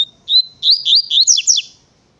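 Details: Double-collared seedeater in Tui Tui style song: a thin steady whistle followed by a fast string of bright, looping slurred notes that climb and dip, closing with two quick descending flicks, in a clean, quiet setting.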